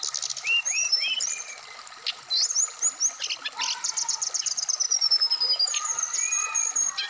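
A black-throated laughingthrush pours out a rapid, varied run of high whistles, slurred notes and quick trills, with hardly a pause between phrases.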